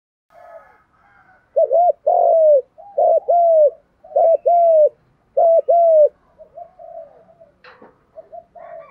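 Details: Male and female spotted doves cooing to stir birds for training: after soft murmurs, three loud low coo phrases, each a quick double-hooked note and a longer drawn-out falling coo, about a second apart, then faint cooing and clicks.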